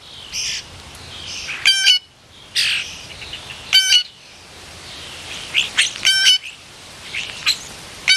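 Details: Blue jay chattering while visiting a suet feeder: a few loud, harsh ringing calls, about four, interspersed with softer raspy notes and chirps.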